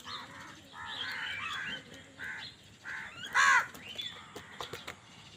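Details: Several crows fight over food: a run of overlapping harsh caws in the first two seconds, then one very loud raspy caw, then scattered clicks.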